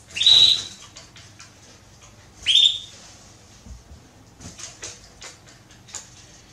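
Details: Female Belgian canary inviting mating: two loud, bright chirps about two seconds apart, then a series of soft clicks and rustles from the cage.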